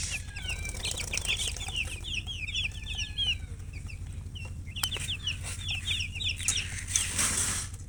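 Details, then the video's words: A group of colour chickens gives dense, rapid high chirps in quick runs, voices overlapping continuously, with a sharp click near the middle and a rushing hiss toward the end over low background hum. "silly chicken chirping sounds with murgi hen color chicken"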